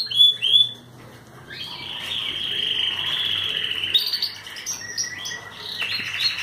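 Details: Young caged canary, described as a Belgian canary, singing in the sun: a few bright opening chirps, then a sustained, fast buzzing trill, ending in varied high whistled phrases.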